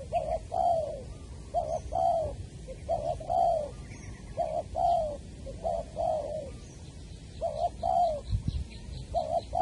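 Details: Spotted dove coos recorded while trapping a wild bird with a decoy, Trà Vinh, Long Đức, Vietnam; mellow paired and tripled coo phrases repeated every second or so, faint chirps behind.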